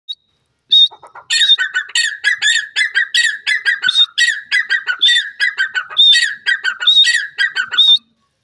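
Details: Grey francolin calling loudly: a fast series of harsh, ringing whistled phrases, each rising then dropping, repeated about once a second for seven seconds before stopping abruptly, with no other sounds.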